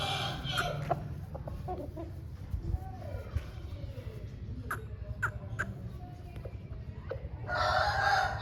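An Aseel chicken gives short throaty clucks and scattered clicks, ending in a loud, raspy, drawn-out call, over a constant low rumble.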